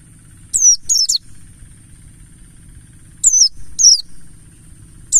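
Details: Lure to get white-eyes singing, from a wild-type mountain white-eye (Pleci Buxtoni ngalas): two short bursts of sharp, falling, very high chirps, each two or three notes long, with a final note at the end and a faint constant hum beneath.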